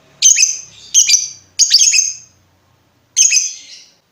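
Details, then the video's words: Lovebird giving harsh, high, squawking chirps, each about half a second long, in a short irregular series of four with gaps between them. "SUARA BURUNG LOVEBIRD NGETIK NGEKEK PANJANG COCOK UNTUK MASTERAN"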